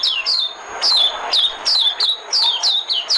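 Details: Oriental white-eye used as a decoy, loud, high, sharply downslurred chirps given in quick pairs and triplets, a clear lively twittering with little other sound.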